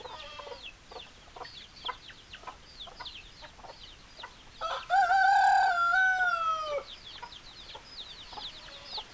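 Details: Chickens, with hens and a rooster: steady high falling peeps throughout, broken midway by a loud two-second rooster crow, a harmonic cock-a-doodle-doo that holds and then slides down before the peeping resumes.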